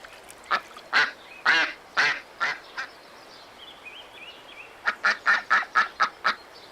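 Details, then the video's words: Little ducks quack in two bursts: six hoarse quacks, a pause with faint peeping, then a quicker run of about eight quacks. "صوت البط الصغير صوت البش بطوط جميلة"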